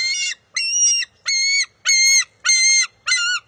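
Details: Bald eagle eaglet at the nest on June 23, 2021, vying with its mother for a fish, gives six loud, strained, harmonic calls in quick succession, each about half a second long with brief pauses between.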